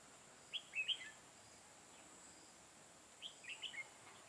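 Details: Red-whiskered bulbul used as a trap decoy, recorded 11 November 2017, singing in a fight to lure wild bulbuls; two short bright warbled phrases of three or four quick notes each, about three seconds apart, over steady background hiss.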